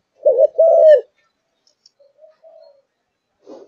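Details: Brief song phrase from a caged Malaysian zebra dove in peak form: a wavering double coo running into a longer steady note, then faint soft notes and near silence.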